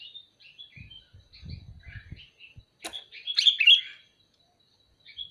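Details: Sooty-headed bulbul calling: scattered soft chirps, then a sharp click, followed by a loud, liquid, bubbling phrase, with low thumping sounds early on.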